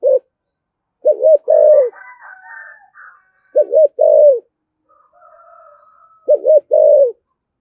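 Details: Repeated low 'thổ thúc gù' phrases of a spotted dove used to provoke wild doves, four phrases about every 2.5 seconds, each a double wobble then a held coo, with faint higher calls in between.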